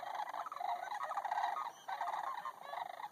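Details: Sandhill cranes resting in a pond near Bosque del Apache, New Mexico, giving a nearly continuous chorus of rolling, rattling trumpeted calls with a brief lull midway.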